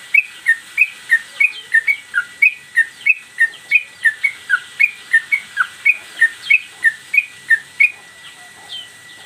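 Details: Caged Sooty-headed Bulbul delivering non-stop 'gacor mbandul' song, one phrase, tail flicking, meant as master audio for cage-bird training: long run of crisp whistled notes about three per second, briefly pausing near the end.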